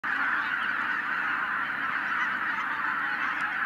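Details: Tens of thousands of wild geese, flushed by a white-tailed eagle in 2023, call at once in a dense continuous roar of overlapping honks and cackles with no break.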